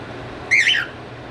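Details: One of two pet cockatiels, hatched November 2023, gives a single loud, shrill squawk that rises and then falls away, described as trolling.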